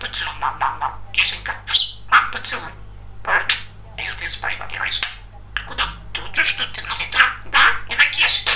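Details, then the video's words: Chatty pet male budgerigar talking clearly, a continuous stream of quick, raspy, word-like syllables broken by thin whistles and chirps, delivered in bursts with brief pauses, over a constant low hum indoors. "Волнистый попугай Разговаривает четко и понятно"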